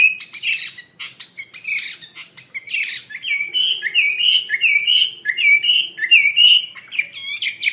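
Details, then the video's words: Chinese hwamei singing vigorously: harsh mixed notes at first, then a long series of loud clear whistled phrases, each a quick downward-then-upward slur, repeated about once per half second. "SUARA KICAU BURUNG HWAMEI WAMBI GACOR"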